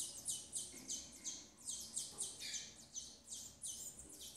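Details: A female double-collared seedeater with her nestlings: bright, high chirps in a fast regular series, each note dropping in pitch, with a couple of softer lower tones mixed in.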